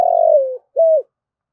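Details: Spotted dove giving a challenge call used to lure wild doves in to fight: a long, mellow coo that slides downward, a short pause, then a brief arched coo. Background is quiet.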